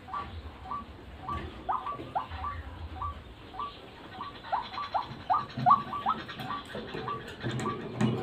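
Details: Lure call of a white-breasted waterhen: a long run of brief upward-flicking notes, some stressed and louder, repeated in an uneven rhythm about every third of a second. Low rumbling noise is heard beneath, with a louder thump near the end.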